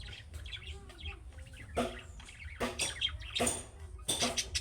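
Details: Calling chirps of budgerigar chicks, meant to prompt other budgerigars to reply: soft chattering twitters that grow into louder squeaky bursts, broken by clicking noises.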